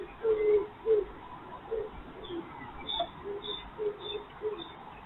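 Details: The first common cuckoo of the year in spring gives soft, low, falling two-note hoots about every second, heard while a wild urban fox eats breakfast, with faint high chirps from other birds behind.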